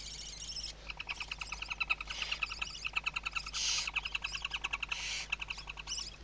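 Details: Western barn owl at a webcam-monitored site in Riet Vell Nature Reserve, Ebro Delta, Tarragona, Spain, 2023 season, in the morning. Rapid trains of dry ticking notes mixed with several broad, breathy hissing bursts.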